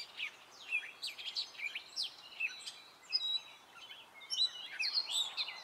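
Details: Gray catbird male in spring delivering his diverse song of short notes, many possibly imitations of other birds: quick downslurred squeaks, chattering bits and whistles in a steady, hurried stream.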